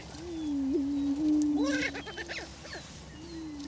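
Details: Male Greater prairie chickens display for breeding territory on a Kansas lek in Washington County. A sustained low moaning tone is overlaid midway by a burst of arched, yelping cackles, then the drone returns faintly.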